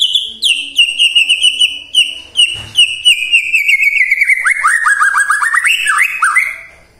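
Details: White-rumped shama song played in the morning to stir silent shamas into excited answering: a long series of sharp repeated whistled notes, about two per second, speeding into a rapid descending string of rising slurs.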